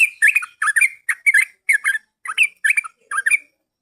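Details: Bulbul lure song, yellow-vented species: about nine short gurgling phrases in under four seconds, each a chirpy rolling twist of notes separated by brief gaps.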